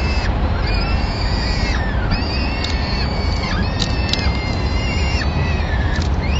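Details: In Madrid, 25 April 2016, a female peregrine falcon brings a pigeon and feeds her chicks while the male leaves. Repeated thin, wailing cries, some rising then dropping, run over a constant deep roar.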